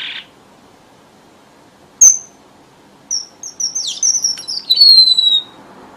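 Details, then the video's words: Red avadavat lure song used by bird trappers: a short buzzy burst, a sharp high chip, then a run of thin high whistles sliding downward and ending in a long descending whistle, over a quiet background. "TIẾNG CHIM HOA MAI ĐỎ MỒI CHUẨN"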